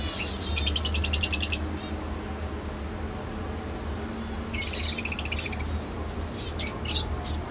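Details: Lovebird giving fast rattling runs of high squeaky chirps, two long trills separated by a pause, then a couple of sharp squeaks, over a low hum.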